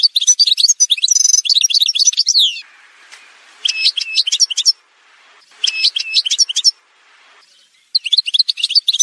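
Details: Algerian goldfinch of the parva form in song: bright, fast twittering phrases of high tinkling notes and buzzy trills, delivered in bursts of one to three seconds separated by short quiet gaps.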